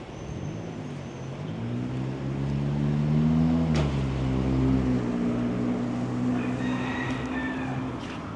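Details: A vehicle engine hums and rises, with street noise and faint voices; no animal is heard.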